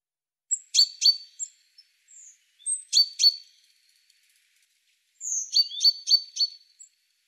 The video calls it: Great tit (Parus major). Singing birds